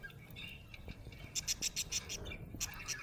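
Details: Budgerigar described as happy, giving rapid high chirps: scattered warbling at first, then a fast series of bright ticking notes about six per second from mid-clip, over low background rumble.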